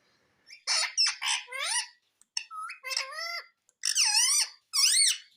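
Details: Indian rose-ringed parakeet kept as a pet and trained to say "Mummy": squeaky, buzzy talking phrases with swooping downward and upward pitch, delivered in short bursts separated by brief pauses.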